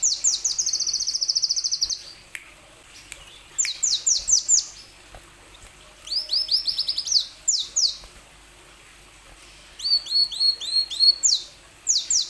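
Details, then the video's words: Plain sunbird singing as a lure for other sunbirds: a fast trilled series of high notes, then repeated bursts of quick, sharply sweeping chirps, separated by brief pauses and a few faint clicks. "Kicau burung kolibri wulung"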